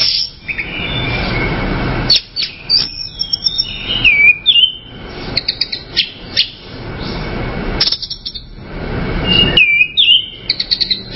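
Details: Orange-headed thrush song: clear, slurred whistled phrases with rising and falling notes, given in short bursts a few seconds apart, with broadband rushing noise and clicks behind.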